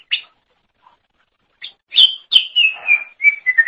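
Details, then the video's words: Greater green leafbird song used to train songbirds: a few isolated chips, then a flowing series of clear descending whistles and rapid twittering notes. "Kicauan Super Cucak Ijo Gacor Untuk Masteran"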